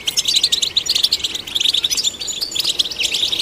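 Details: Goldfinch singing, used to encourage other goldfinches to sing: a rapid, jangling run of sharp chips and liquid twitters, tightly packed and bright, with a short buzzy element near the end.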